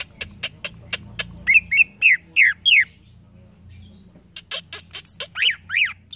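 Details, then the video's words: Green leafbird (cucak ijo) singing a run of sharp ticking notes, then loud slurred whistles and rising-falling phrases, ending in high chattering notes at a quick, uneven pace. "CUCAK IJO BAHAN CEPAT NYAUT DENGAR CUCAK IJO INI"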